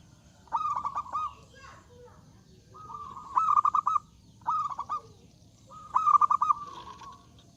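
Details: A zebra dove sings loudly to draw rivals into singing, giving four phrases of quick rattling notes that each settle into a level low hum, spaced roughly one to two seconds apart.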